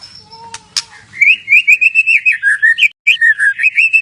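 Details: White-rumped shama (murai batu) lure song: after a few separate whistles and a sharp click, a fast run of bright slurred notes, about five per second, wavering up and down in a lively chattering phrase.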